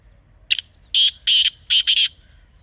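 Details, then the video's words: Kala teetar, the black francolin, a wild bird of Pakistan recorded outdoors and sold as a hunting call. Its phrase runs: a short sharp note, a pair of long rasping notes, then a quick harsh double note. The whole call is loud and distorted. "Real Kala Teetar Sound"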